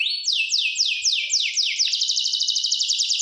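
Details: Singing Gloster canary: six clear notes sweeping steeply downward, about three per second, then flowing into a fast, even, buzzy trill.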